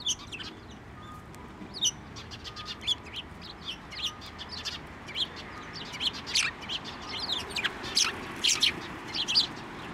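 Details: Sparrows at a Tenmangu shrine on 15 November 2023, hopping onto an outstretched hand to take food: a flock of brisk, high chirps and short tweets overlapping throughout, louder bursts every second or so, with faint background hum.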